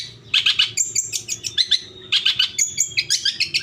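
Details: Long-tailed shrike (cendet) song used to make caged birds respond: busy scratchy chattering phrases mixed with high thin whistles, notes tumbling rapidly for nearly four seconds, low hum underneath.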